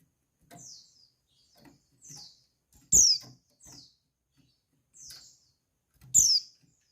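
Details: Female white-eye (pleci) call meant to arouse males: thin, high descending notes, repeated roughly every second, some louder than others, in a quiet setting.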